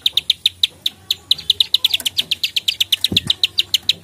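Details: Prenjak sawah, or plain prinia, in lively fighter mood producing klik-klik notes: bright, short high clicks in an irregular quickening burst, with one dull low thump near the end.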